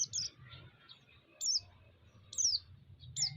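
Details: White-eye song used to provoke other white-eyes and stir them up: high, thin descending whistled notes given roughly once a second, with a low background rumble throughout.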